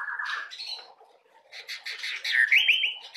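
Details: Brief white-rumped shama phrase for prompting juvenile birds to sing: a buzzy note, a pause, then a burst of rising whistled trills.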